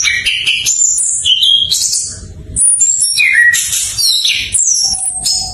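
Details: Orange-headed thrush (anis cacing) practising song as a lure for thrushes that have stopped singing: fast sweeping high whistles and rich chattering bursts, with a faint low rumble in between.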